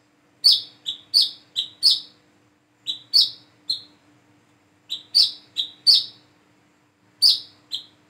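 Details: Plain-throated sunbird (kolibri kelapa) learning to call: quick bursts of four or five high, clipped chips alternating pitch, separated by silences of about a second.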